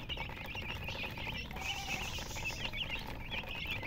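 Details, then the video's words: Chicks with their mother hen chirp busily: thin, high peeps that bend up and down, coming in quick overlapping bursts from several chicks, with low background noise underneath. "silly chicken chirping sounds with murgi hen color chicken"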